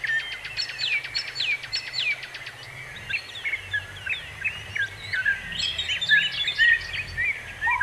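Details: Birds in a natural setting: a fast run of sharp repeated chirps for about two and a half seconds, then varied twittering and whistled notes from several birds over a low rumbling background.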